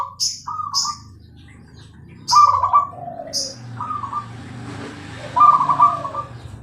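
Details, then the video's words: Bangkok perkutut (zebra dove) singing: separated rolling coo phrases with lower trailing notes, among sharp high chirps from other birds and a soft background rumble. "perkutut gacor suara jernih"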